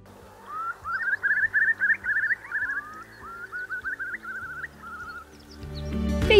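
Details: A Eurasian curlew, Europe's largest wader and a common winter visitor to the Solent coast, gives a run of about a dozen rising, whistled notes over four seconds, fading toward the end, with a low hum and a burst of rustling at the close.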